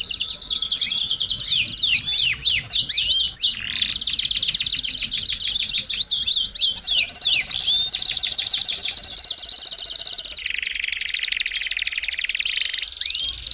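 A Belgian canary sings a long, varied run of bright trills and rapid high chirps.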